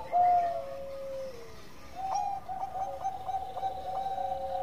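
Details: Bangkok-type zebra dove lure song against a hissy background: a long sliding coo that drops away, then a run of even, repeated short coo notes on one pitch.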